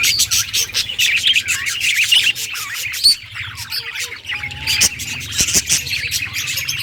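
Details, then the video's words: Happy budgerigar warbling: lively, irregular run of chirps, clicks and rasping squawks, with a clear upward whistle near three seconds and a faint low hum underneath. "Budgie singing happy | Birds chirping | Parakeet happy life"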